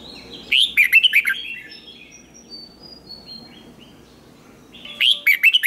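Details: Red-whiskered bulbul trained for fighting-song contests sings two bursts of quick, twisting, bright notes about four seconds apart, with soft high whistles between them.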